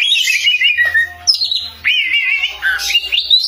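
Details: Oriental magpie-robin (kacer) singing loudly: clear whistled phrases sliding down then rising, with varied sweeping notes in quick succession and a faint low hum underneath.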